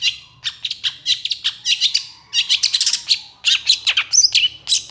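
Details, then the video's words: A long-tailed shrike in energetic song gives a long, fast, scratchy jumble of harsh chattering notes and thin squeaky whistles, nearly continuous with brief pauses, in a small room. "SUARA PENTET GACOR EMOSI TEMBAKAN PANJANG"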